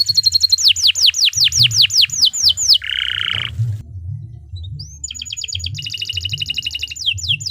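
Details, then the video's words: Long continuous canary song of the 'gacor panjang' style, played as masteran to train other birds: a quick run of falling whistled notes, a short harsh buzz, a pause, then fast rolling trills, with a faint low hum beneath. "Suara Burung Kenari II GACOR PANJANG Cocok untuk Masteran"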